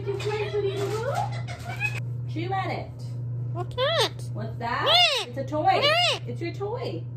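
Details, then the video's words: Indoor talking Indian ringneck parakeet produces a run of speech-like syllables: a longer rising note, then several sharply arched rising-and-falling utterances about once a second, over a continuous low hum. "Talking Indian Ringneck parrot"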